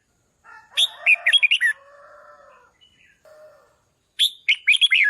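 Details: Red-whiskered bulbul singing to rouse decoy birds: two phrases of quick, bright whistles, the first over a lower hum, with lower drawn-out tones between the phrases.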